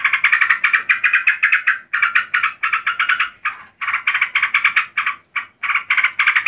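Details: Female yellow-vented bulbul, worked up, calling a male with continuous rapid rasping notes grouped into short runs, with brief breaks every second or so.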